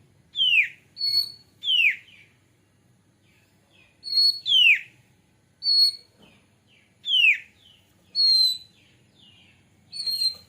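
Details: White-rumped shama song used as a lure to start singing and tail spreading: alternating loud downward-sweeping whistles and level high whistles, in spaced pairs and groups across the recording.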